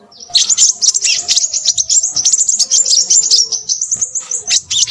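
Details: Crimson sunbird in noisy song, starting with a quick rising note and breaking into an excited, high, tinkling twitter of closely spaced chirps.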